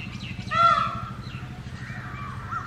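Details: Wild male Indian peafowl calling loudly from a house rooftop in early morning: one short, harsh, strongly harmonic cry lasting under half a second, over a steady low rumble of background noise.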